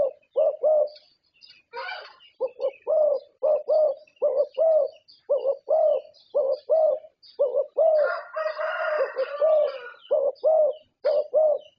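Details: Zebra dove champion of Thai contests, singing long strings of low, bubbling coos in steady paired beats, interrupted twice by brief rustling noise, with scattered faint high bird chirps.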